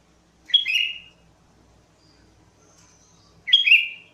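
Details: Sooty-headed bulbul lure song: two short, bright, slurred whistled phrases about three seconds apart, with quiet pauses between them.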